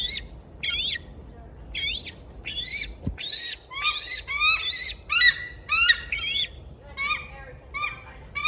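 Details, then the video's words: A bald eagle, which has just pooped, gives a long series of high, thin, chittering notes that rise and fall, about one or two a second, over faint background noise. "bald eagle uses the skibidi toilet and screams"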